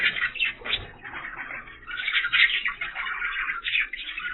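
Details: A breeding pair of budgerigars chattering indoors; a continuous busy warble of scratchy chirps and squeaks, fairly dense throughout with small bursts, in a small room.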